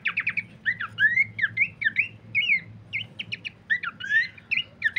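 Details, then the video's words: Horsfield's babbler song, a lure and master recording for training birds: quick clusters of short sharp notes alternating with rising and falling whistled slurs, rather soft, with steady low hum beneath. "pancingan dan masteran terbaik mewah khas burung pelanduk semak"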